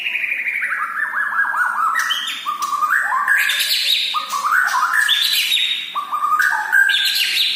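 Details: Medan-type white-rumped shama singing in full voice: a rich, varied run of whistled phrases, descending chains of notes, then sharp rising sweeps and bright high flourishes with no pauses.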